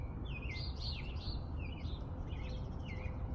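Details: In spring, a little bird gives quick sweeping chirps and trilled twitters in close bursts, some phrases dipping and rising, over a constant low background hum.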